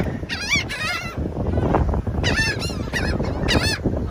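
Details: Gulls at sea scream in harsh, wavering, nasal bursts, several overlapping calls in quick succession over a steady low roar of wind and surf.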